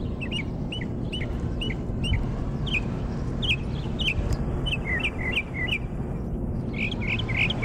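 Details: Mockingbird in Jackson, Mississippi, giving a series of short, sharply inflected chirps that are repeated in quick groups, then shift to new repeated note types. Steady low rumbling background noise runs throughout.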